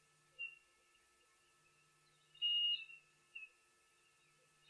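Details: Chinspot Batis whistling live at a waterhole on 31 October 2023, more than one bird calling, one very close. Clear high pure whistled notes: a short note, a longer held whistle with a slight wavering top, then another short note. Faint steady hum.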